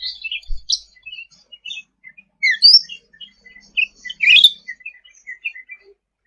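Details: Sooty-headed bulbul in lively tutor song: a busy jumble of quick chirps and slurred notes with several louder bursts, with a faint low thump at the start.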